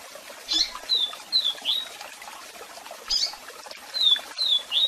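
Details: Double-collared seedeater singing a strong song with calls for song training: a loud chip followed by several clear downslurred whistles, then another chip and a second run of whistles, backed by rushing waterfall noise.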